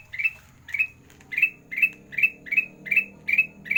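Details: Sandang garigit master song of a kutilang emas, used to train lazy singing birds: evenly spaced high chirps with a buzzy trailing edge, roughly every half second, over a faint low hum.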